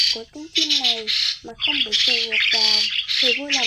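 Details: Migrating starlings in a trapping lure recording: harsh, nasal squawks with hooked, downward-bending notes. Bursts of dense, hissing high chatter overlap them, with several calls packed into each second.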